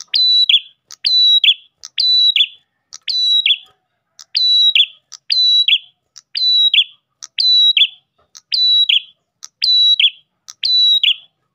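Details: Long run of Ash tailorbird song, meant to pull in other tailorbirds. About eleven phrases arrive almost once a second, each a tick, a steady high whistle and a buzzy descending close. Very regular, clean, with no background noise.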